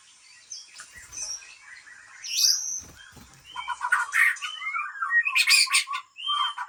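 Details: Breeding white-rumped shama from Lamteuba, Aceh, mixes harsh, buzzy bursts with short whistled upslurs and fluttering notes. The song builds in loudness toward the end.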